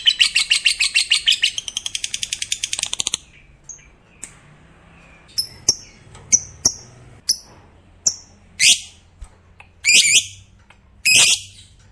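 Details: Fighter-type lovebird in the long 'ngekek panjang' style, said to set other lovebirds singing: a fast pulsed rattling trill for about three seconds, then scattered sharp chirps and thin high ticks.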